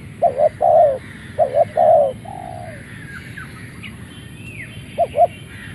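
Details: Just released from its box, a caged Malaysian-line spotted dove used for decoying crows: two deep coo phrases of short notes and a long falling coo, then quiet with distant bird whistles, and a final pair of short coos.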